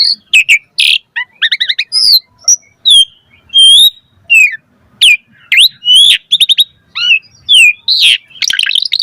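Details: Asian pied starling in lively full song meant to provoke other birds into answering: quick series of sharp chirps, bent whistles and short rasping notes, densely packed, with brief pauses between phrases.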